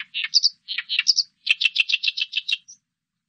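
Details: Song of an oriental reed warbler, 2020 recording from Korea's national biological resources institute: loud grating phrases mixing harsh low chacks with squeaky higher notes, then a quick series of about ten rasping syllables and a thin closing squeak.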